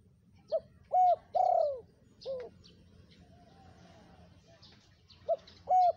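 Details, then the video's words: Spotted dove lure call, a four-note cooing phrase of short, held and long falling notes, repeated after a pause, with scattered high chirps from small birds. "SUARA TEKUKUR GACOR"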